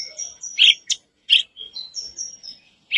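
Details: Black-browed reed warbler, a recording meant to make a caged bird sing: scattered harsh chacks between thin, high whistled notes, with short silent gaps.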